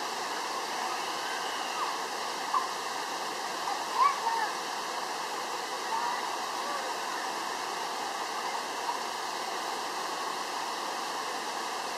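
Steady rushing water, like a waterfall or stream, with no clear animal calls.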